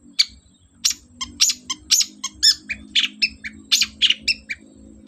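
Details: Long-tailed shrike in full energetic song, a lure to coax a lazy bird into replying: a steady stream of sharp, high, scratchy chips and short downslurred notes, roughly two per second, irregularly spaced.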